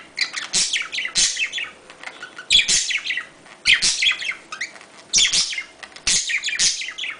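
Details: Domestic budgerigars giving a breeding-stimulation mating call: bursts of loud, scratchy, high warbling chatter about every second, separated by brief quieter gaps.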